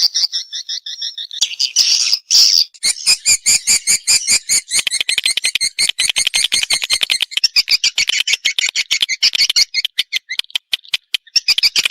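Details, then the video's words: Swiftlet response call: a few buzzy chirps lead into a long, rapid train of sharp clicking pulses, steady and insistent, mixed with high twittering throughout. "Suara Walet respon"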